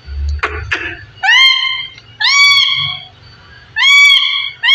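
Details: A parrot of fifteen years vocalizing in a small room: a few low, rough speech-like sounds, then three long, clear, harmonic calls that rise slightly and hold steady, each about a second long.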